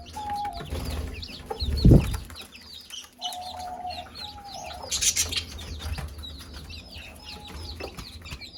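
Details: Mother hen calling her chicks to eat: many chicks give rapid arched peeps, interrupted by a few steady mid-pitched drawn-out notes and a loud thump near two seconds.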